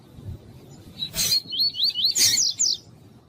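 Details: Double-collared seedeater (coleiro tuí-tuí) song used to warm up males, with a female calling: a short run of rapid, high whistled notes sweeping up and down, sharpening into a quick buzzy flourish, with clicks and low background hum.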